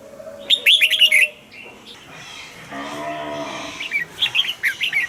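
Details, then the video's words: Caged red-whiskered bulbul, a recording used to rouse other kept birds, gives a bright warbled phrase of quick rising and falling whistles, a low harmonic murmur in between, then a second lively whistled phrase near the end. "นกปรอดหัวจุก นกปรอดหัวจุก เสียงนกกรงหัวจุก"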